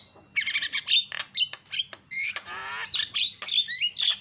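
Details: Javan myna, jalak kebo, calls meant to provoke other mynas: loud scratchy squawks and chatters, a buzzy rattling stretch midway, and short whistled upslurs near the end.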